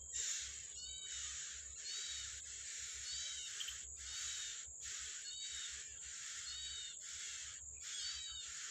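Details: A yellow-bellied prinia feeds its young in the wild; thin, downslurred ringing notes repeat in tight pairs and triplets every second or so, set against a loud, steady high-pitched buzz and rhythmic low thumps.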